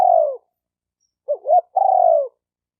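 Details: Spotted dove call used to excite decoy, male and female birds: a long descending coo, a pause, then two brief rising notes and another long, slightly falling coo, clean with no other sounds.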